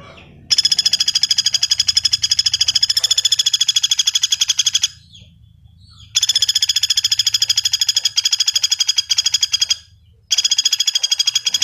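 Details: Common flameback calling: long, rapid, even rattling trills of sharp metallic notes, broken by two brief pauses, with no other sounds.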